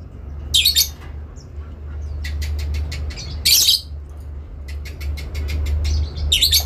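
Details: Adult lovebird giving long ngekek calls, answering another bird as if calling a rival: three harsh, buzzy bursts in its upper range, separated by trains of sharp clicks, over a steady low hum.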